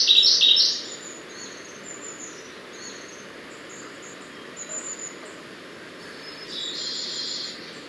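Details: Siberian blue robin song opening with a loud burst of quick high repeated notes, followed by soft, thin high notes and a second, weaker rapid phrase near the end, over low forest hiss.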